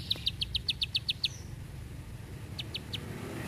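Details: Bar-winged prinia sounding a quick burst of about eight sharp, clicking notes, then silence and three more notes, over a steady low hum; a rapid, tightly spaced style of song.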